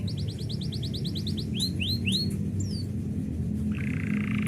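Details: Canary song heard while its owner prepares to leave: a row of quick repeated chirps, three rising-falling whistled swoops, then a faint buzzy trill, fairly quiet against steady low hum.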